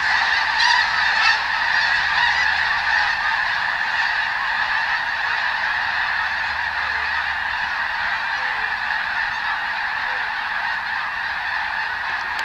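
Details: Several thousand feeding snow geese on newly sprouted wheat on the Skagit Delta, Washington State, as crackers are used to move them off the field: a dense, continuous roar of overlapping honks, steady throughout.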